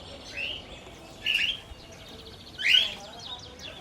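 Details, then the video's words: Lutino cockatiel kept with a family of budgies and lovebirds: three short, bright rising chirps spaced about a second apart, with faint twittering of other small birds in the background. "Lutino cockatiel Chirping Sounds"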